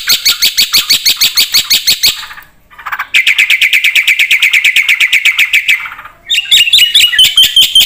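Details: Javan pied starling singing energetically with a full, varied repertoire, used as a lure and training master to make other birds answer; loud rapid chattering notes in a fast pulsing run, a brief pause, then a sustained buzzy trill and sharp whistles.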